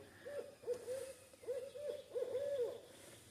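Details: A great horned owl in woods on a hot day turning cooler gives a quick run of soft, hollow, gently rising and falling hoots, apparently calling to others of its kind.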